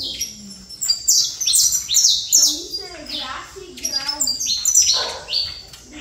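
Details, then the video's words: Trator-style saffron finch song: tight runs of shrill, clipped notes repeated in rapid succession, over softer low-pitched vocal sounds in the background. "Canário da Terra Trator"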